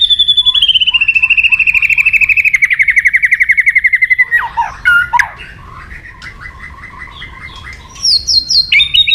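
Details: White-rumped shama song meant to provoke aggression: a long, fast, even trill that slowly falls in pitch for about four seconds, then softer chattering and high whistled notes.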